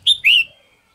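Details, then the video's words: Red-whiskered bulbul in morning song, a caged bird: two loud whistled notes, the first short and high, the second longer and gently rising then falling, fading into quiet. "chào mào hót sáng QUÁ HAY"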